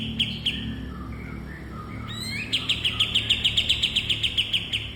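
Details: Bulbul for cage-bird training: two isolated chirps, soft lower warbles, then a rising whistled sweep launching a fast, regular train of bright high ticks, about three and a half per second.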